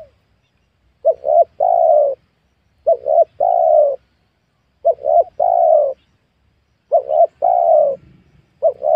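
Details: Luring wild spotted doves in a newly cleared young oil palm plantation. A dove gives about five regular three-note coos, two short notes then a longer mellow one, roughly every two seconds, with a faint low rustle near the end.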